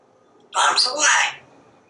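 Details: Pet parrot watching squirrels and birds from a screened porch utters one gravelly two-syllable word.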